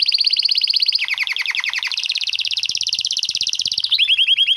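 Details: Long rolling canary song meant for tutoring young birds: a sustained high trill, then a deeper pulsed stretch, merging into a fast continuous rattle that ends in a short series of crisp descending notes.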